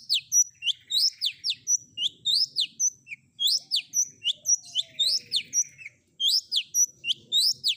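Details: Long-tailed shrike in a combination fill-in song meant to make other shrikes reply: fast repeated sharp downslurred whistles and high flicks, with a brief pause near the end.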